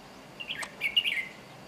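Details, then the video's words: Short bright phrase from a red-whiskered bulbul in Chiang Mai, Thailand: a quick introductory chirp, then a bubbling run of warbled notes lasting about half a second, against faint ambient noise. "Red-whiskered Bulbul"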